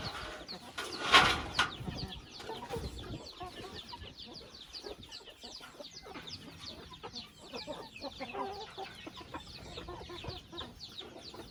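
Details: A chicken family house: a sharp loud knock early on, then continuous high, falling peeps and scattered soft clucks from many birds.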